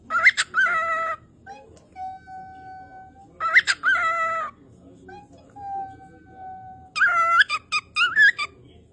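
A cockatiel gives loud, harmonic-rich squawking calls in bursts about every three and a half seconds.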